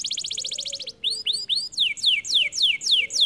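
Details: Canary singing in full voice: a fast buzzy high trill, a short pause, then a series of sweeping downslurred whistles repeated about three times a second.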